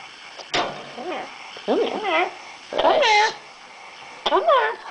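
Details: Female Yellow-naped Amazon parrot, a pet kept in a cage indoors, talking. Four short bursts of voiced, speech-like phrases with wavering rising and falling tones, separated by brief pauses, in a small quiet room.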